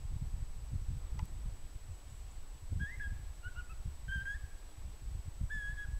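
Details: Pygmy owl with a series of faint, short whistled notes at slightly varying pitch in the second half, set against heavy low-pitched background rumble.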